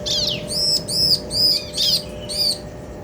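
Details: Bar-winged prinia pair, male and female, trading calls: one downswept high note followed by five evenly spaced, arched, ringing chirps at a brisk pace, with a faint continuous hum underneath.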